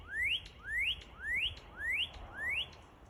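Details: Northern cardinal song of five evenly spaced rising whistled slurs, each sweeping upward and ending sharply, repeated about twice per second over faint background hiss.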